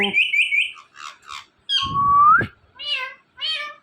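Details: Indian ringneck parakeet talking: a run of buzzy, harmonic word-like syllables, a long clear rising whistle, then two nasal meow-like calls.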